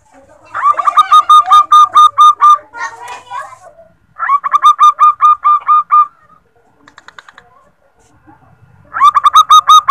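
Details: Recorded female zebra dove calling, used to prompt males to sing: three bursts of rapid, evenly repeated hooked cooing notes, each burst about two seconds long, separated by softer scratchy and chattering sounds.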